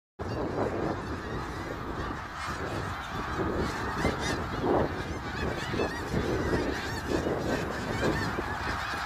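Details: Snow geese at Middle Creek Wildlife Area on March 3, 2022: a dense, unbroken din of many honking birds, overlapping nasal yelps forming a steady roar with louder calls standing out now and then.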